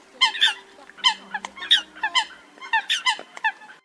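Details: Eurasian coot calls played as a lure for night net trapping of migrating birds at the start of the August 2024 season: short nasal honking notes in quick clusters of two or three, with a faint steady hum beneath.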